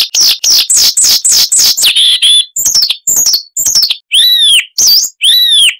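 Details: Siberian rubythroat, a babbling songbird with many sound variations: fast descending chirps repeated in a row, then several loud arched whistles with rising-and-falling tone.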